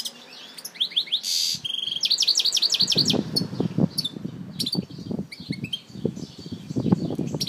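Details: European goldfinch from Algiers. The clip opens with rapid tinkling song notes and a short buzzy trill. The bird's notes then thin to scattered high chips over repeated low thumps and knocking noise.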